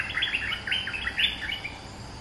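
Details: Lure song of a caged bulbul kept two months: a continuous run of quick, gurgling, bubbly notes at mid pitch, slightly muffled over a constant background hiss.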